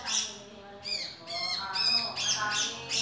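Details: Harsh, grating notes from a male grey-cheeked bulbul, several strident squawks in quick succession, some with a descending slur, over quieter lower warbling sounds.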